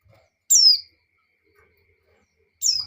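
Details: A breeding female white-eye calls to the male with two piercing downslurred whistles about two seconds apart, quiet background with faint low thumps.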